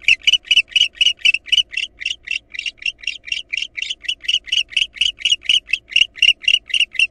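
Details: Barn owls at a nest where an intruding female attacked the nestlings until the father returned with a rat and drove her off. Rapid, harsh chittering pulses repeat about twice a second in a steady, insistent series.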